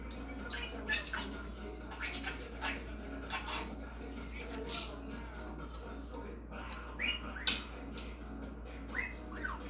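A budgerigar chatters in quick squawks, clicks and scratchy warbles over a steady low hum.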